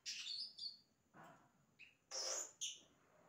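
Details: Yellow-rumped cacique singing imitations: a bright, falling whistle opens, then loud noisy rasps alternate with short, high whistled notes over a faint background hiss.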